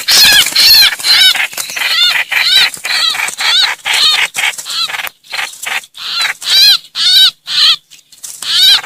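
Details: Trao trảo, a Vietnamese bird, crying for help and calling its flock, used as playback to lure greater coucals. Loud, harsh, harmonic calls, each with a bending, chevron-like shape, repeated about twice per second with short gaps.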